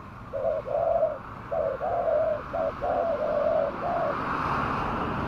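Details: Spotted dove call used as a lure for wild doves: short, hollow coos in uneven groups, about eight notes over four seconds, over a steady background hiss.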